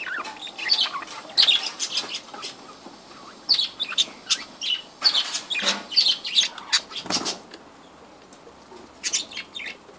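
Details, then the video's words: Budgerigars in a breeding colony, many birds chirping together: bursts of sharp, high, scratchy chirps and warbles that come in clusters with brief quieter gaps between them. "budgies breeding colony"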